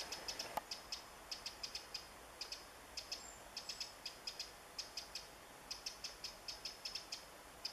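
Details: Woodland Eurasian wren searching for insects on 27 July 2014, calling with a near-continuous run of hard clicking ticks in bursts every fraction of a second; one louder low knock early on, soft background hiss.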